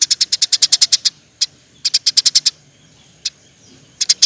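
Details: Eurasian tree sparrow in active 'gacor' song, a rapid tight 'nembak' style for bird training: bursts of sharp, high chirps in quick runs of about ten, then scattered single notes and a short final burst.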